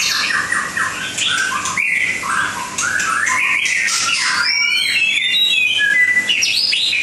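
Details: Langkawi white-rumped shama pouring out a fast, varied song of short rising whistles and tumbling phrases, later climbing into higher sweeping notes and bright trills; a low hum runs underneath.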